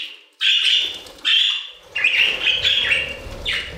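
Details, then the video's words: Several budgerigars in an aviary give clear, ringing chirps in spaced bursts, then a quicker run of wavering tweets, with faint rumble underneath. "Budgie Songs - 1 hour of Budgies singing in the Aviary"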